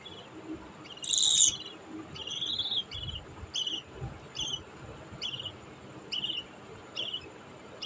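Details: Budgerigar chicks (baby budgies) give short, raspy high chirps, repeated roughly every second.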